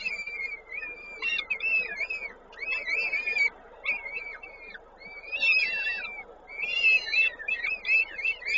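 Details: Peregrine falcon at a nest in Koszalin on 19 May 2022 during feeding; harsh, buzzy wailing calls with rich overtones come in bursts about a second long, separated by short pauses, over a quiet background.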